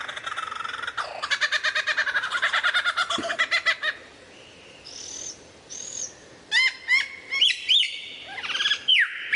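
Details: Lyrebird in varied song: a fast, rattling series of rapid pulsed notes for several seconds, a pause, then high thin whistles, followed by clipped chattering notes and rising slurs.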